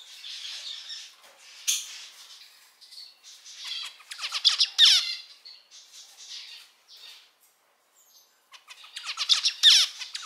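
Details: Captive male zebra finch song, part of a collection of individual males of various mutations: scattered nasal buzzes, then a loud run of descending rasping notes near five seconds, a near-silent gap, and a final harsh burst.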